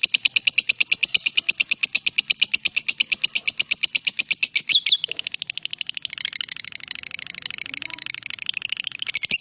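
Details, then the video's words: Long ngekek trill of a lovebird, kept as master recording for training; steady rapid high-pitched pulsed chatter for five seconds, a brief pause, then a fainter, denser chattering resumes. "suara Lovebird ngekek panjang cocok buat masteran"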